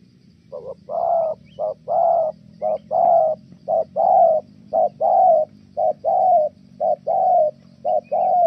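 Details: Spotted dove in Kon Tum, Vietnam, used for decoy trapping, cooing steadily in a good local tone. Loud, mellow coo notes come in a rapid rhythmic series, short and long notes alternating about once per second.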